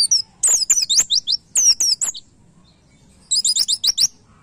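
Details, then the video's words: White-eye master song for cage-bird training, played during morning airing: two quick bursts of high twisting slurred notes, a brief silence, then a dense cluster of rapid high chirps. "MASTERAN PLECI NEMBAK MUDAH DI DIINGAT"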